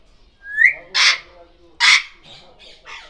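Grey parrot giving a rising whistle, then two harsh broadband squawks about a second apart, followed by softer nasal calls.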